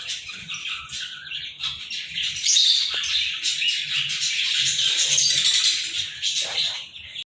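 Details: Pair of Indian ringneck green parrots giving continuous harsh, chattering screeches and squawks that overlap densely and stay loud throughout. Faint low thumps sound underneath.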